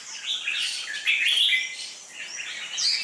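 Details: Red-whiskered bulbul kept as a competition bird, with deep red cheek patches and a dark bib, sings a continuous run of sweet, warbling whistles that rise and fall quickly.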